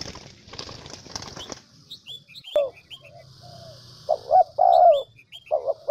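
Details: Vietnamese decoy spotted dove from the Central Highlands: wing flapping at first, then soft short coos building to louder paired coos, a short note followed by a longer one, with small birds chirping faintly.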